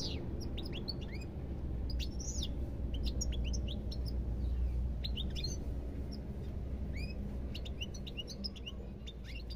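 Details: European goldfinch singing: a rapid, jumbled twitter of bright, high chirps and short rising and falling notes, almost nonstop through the clip over a steady low rumble.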